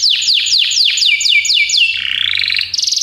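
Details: Belgian canary singing for canary training, a series of slow descending whistled sweeps, then a quick buzzy trill and a bright rattling ending; faint low hum beneath.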